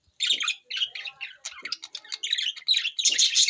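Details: Budgerigars, newly acquired, chattering on June 11, 2024: a continuous stream of high, grating squawks and chirps, rapid and uneven, swelling louder toward the close.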